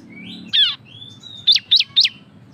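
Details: Ashy tailorbird (cisem) singing ngebren to prompt other birds: a thin rising whistle, one sharp high chip, another long whistle, then three quick loud downslurred notes, with faint low hum.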